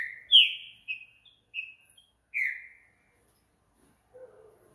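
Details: Green-winged saltator at night delivering one phrase of four clear whistled notes, each falling in pitch, the loudest first, followed by a faint lower warble.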